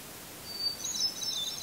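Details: Hermit thrush in a red pine tree, Eustis, Maine, just before sunset on July 18, 2020. A quieter phrase: a thin, high held whistle followed by a silvery trill of rapid higher notes, against a steady soft hiss.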